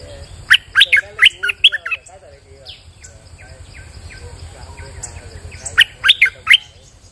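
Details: Bulbul singing actively on a rainy day as a lure, two bursts of loud, sharp chirping notes three to four quick notes each, separated by softer warbling phrases, with low background hum.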